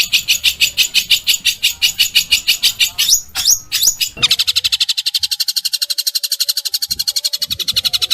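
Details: Long-tailed shrike in a training recording of coarse burst song. A steady chatter of harsh notes gives way to quick rising slurs, then a very fast, even rattle of sharp pulses with faint low background noise.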